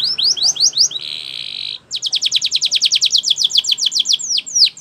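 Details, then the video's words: Spanish Timbrado canary singing a training song: quick rising slurs, a short, sustained buzzy roll, then a long run of sharp, rapidly repeated descending notes, with a few louder slurs at the close. "Canary Training Champion Song"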